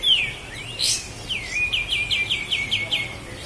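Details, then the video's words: Sooty-headed bulbul from Lahat used as a master recording for training cage birds: a high descending whistle, then a rapid series of about eight short repeated downslurred notes, bright and ringing. "Masteran Burung Kapas Tembak Asli LAHAT"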